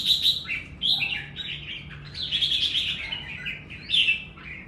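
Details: A red-whiskered bulbul gives doubled-style song, strung-together chirpy whistles that waver up and down, peaking in a loud slurred phrase near the end.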